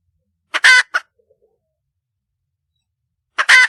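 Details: Red junglefowl hen calling for a male mate; two brief bursts, each a quick cluck and a loud grating squawk, separated by about three seconds of quiet.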